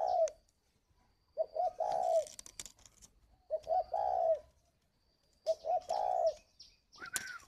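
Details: Caged spotted dove in Ba Vì, Hanoi, northern Vietnam, cooing in the 'gáy gọi' calling style. Four evenly spaced low phrases, each a quick double coo ending in a long vibrating note, with faint clicks and rustling.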